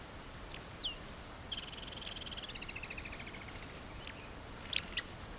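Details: Birds in the Mara give sharp, high alarm chips and a short burst of rapid rattling notes while mobbing and harassing a leopard resting in shade with her cub, urging it to move on; steady background hiss throughout.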